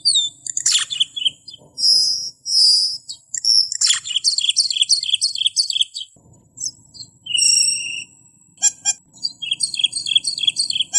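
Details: Camperling singing for use as a training and lure track to make birds sing. A very high, varied stream of chirps, fast trills and short whistles runs in quick, uneven bursts with brief pauses between them.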